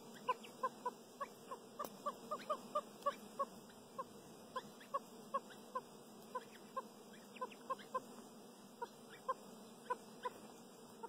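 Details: Chukar partridges give short, clucking chuk notes in a steady series, several per second at first, then spacing out, over a faint background hum.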